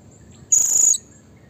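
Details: Blue-crowned hanging parrot, a lure call for provoking rivals: one sustained, shrill, very high buzzy note lasting about half a second.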